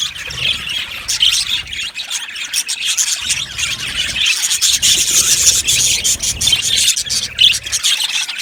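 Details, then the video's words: Australian budgies chirping in an aviary colony: a dense, continuous high chatter of overlapping squeaky warbles and chirps from many birds, with no pauses across the stretch. "Beautiful Budgies sounds | Budgies chirping sounds | Beautiful Budgies singing sounds"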